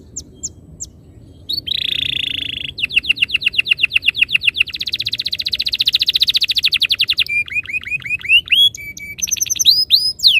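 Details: Canary master song aimed at getting canaries to roll and sing: sparse high notes, a buzzy trill, a long rapid roll of short notes, a dense buzz, then mixed hooked whistles and flat tones.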